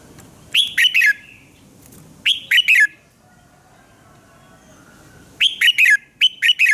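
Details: Red-whiskered bulbul singing in the morning, used as a training voice: short bursts of clear, warbled whistled phrases in groups of three or four notes, separated by pauses, over quiet background.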